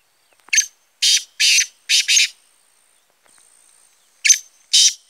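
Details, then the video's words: Black francolin, recorded 25 July 2020, calling a full phrase of five grating, scratchy notes. A quiet gap of about two seconds follows, then the next phrase begins with three harsh notes. No other sounds. "kala teetar Awaz"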